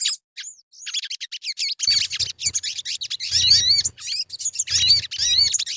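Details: Sogon lure song: a few sparse high notes, then dense, rapid chirping phrases with looping, slurred whistled figures repeated in bursts.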